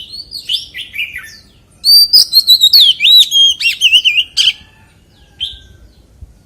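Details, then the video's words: Forest-voice singing by an Oriental magpie-robin: a few soft falling whistles lead into a loud run of clear rising and falling whistled notes and clicks, ending with a lone faint note. "CHÒE THAN HÓT GIỌNG RỪNG SIÊU HAY - Suara Burung Kacer Gacor"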